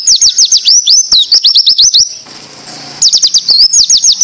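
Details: Oriental white-eye training song in the 'tembakan ziper' style, used to teach other white-eyes: rapid high, thin whistled notes sweeping up and down in quick runs, a one-second pause, then the fast sweeping series resumes.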